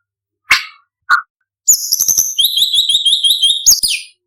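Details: Imported contest white-rumped shama with a rich, varied song: two sharp clicks, then a fast run of high, repeated buzzy notes ending in a downslurred whistle.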